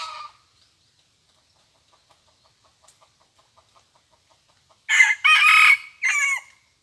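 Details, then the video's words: Harsh red junglefowl crow from a decoy bird, said to crow just twice, in three loud segments, the longest in the middle, after a quiet stretch of faint regular ticking and a brief opening call. "ຕໍ່ໄກ່ປ່າ ຂັນສອງບາດທໍ່ນັ້ນ ຫມາຍນີ້ມີຊ້ຳ ต่อไก่ป่า ขันสองเทื่อเท่านั้น หมายนี้มีช้ำ"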